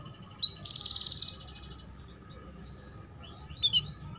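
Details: Female canary calling to encourage young canaries to sing and raise breeding drive: a high, buzzy rattled trill lasting nearly a second, then quiet, then one sharp high chirp near the end.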